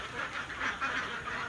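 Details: Many domestic ducks calling together at communal nesting spots during egg laying on a duck farm; dense overlapping quacks swell and fade in a continuous, busy murmur.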